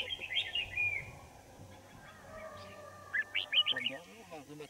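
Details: Winter-morning trapping of wild Red-whiskered Bulbuls at Kim Bôi, Hòa Bình, 3 January 2018: a short fluty warble opens, then a burst of four bouncy whistled notes, with a man talking low at the end.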